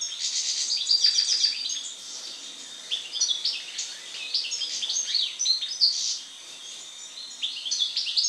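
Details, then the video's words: After its moult, a European goldfinch sings a lively, rambling twitter: tinkling notes, short trills and nasal buzzy phrases in rapid irregular bursts, with one brief lull near the end. "European Goldfinch (Carduelis Carduelis) after moult song."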